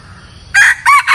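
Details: Red junglefowl decoy crowing to lure wild birds, three short harsh bursts in quick succession, the middle one with a rising-falling bend, against faint low hum.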